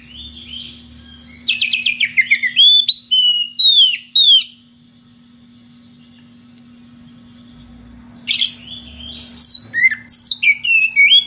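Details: Kacer, the magpie-robin, in ngeplong style calling out a rival: bursts of sharp descending trills and clear slurred whistles, then a silent gap of about three seconds before more rising and falling whistled phrases; steady low hum behind.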